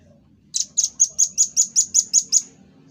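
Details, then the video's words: Velvet-fronted nuthatch, locally rambatan paruh merah, in a master-song recording for cage-bird training, firing ten piercing high chips at a steady, quick rate, a machine-gun-like 'tembakan' series lasting about two seconds. "Tembakan Dan Suara Khas Burung Rambatan Paruh Merah"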